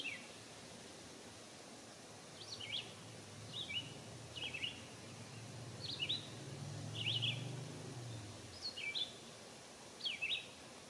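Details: American robin bathing and singing at a birdbath on a warm summer day in 2022: short, slurred whistled phrases of two or three notes, given about once a second, over a low steady rumble in the background.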